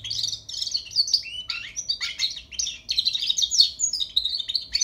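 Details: Young European goldfinch, a caged songbird learning to sing, practising its song: a rapid, continuous run of twittering, tinkling high notes and short buzzy trills in dense bursts, with brief pauses around the second and third seconds, over a faint low hum.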